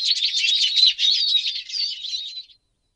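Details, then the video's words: A Eurasian siskin sings a fast, continuous twittering run of high buzzy chirps and slurred whistles lasting about two and a half seconds. "Голоса птиц Певчие птицы Чиж"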